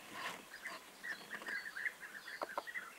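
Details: European bee-eaters on 29 May 2021 giving soft rolling notes in a loose series. A rustling burst of noise at the start and two sharp clicks near the end are also heard.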